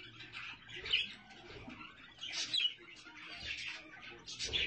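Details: Budgerigars with chicks give softer, intermittent warbled chirps in separate bursts, quieter stretches between louder squeaky phrases.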